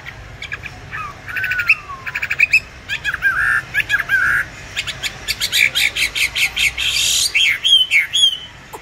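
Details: Caged songbird, bought 19 May 2020, mixes harsh buzzy bursts, a sliding whistle and scratchy chatter in uneven bursts, with some broadband rasping notes.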